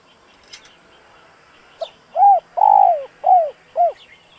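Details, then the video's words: Spotted dove calling to rouse a decoy bird into answering: after faint chirps, a brief lead note and four full, hoarse coos, the second longest, with the final note slightly rising then dropping. "Tiếng chim cu gáy dùng kích bổi lâu nổi, bổi khó cỡ nào nghe là gáy"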